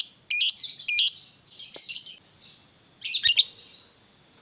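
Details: Lovebird of the fighter type, used as a lure to make other lovebirds sing: three bursts of squeaky, buzzy chattering phrases separated by short pauses.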